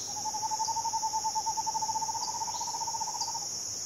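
An Eastern Screech-Owl gives a soft, even, mid-pitched trill lasting over three seconds, holding nearly one note. A steady high insect drone runs underneath.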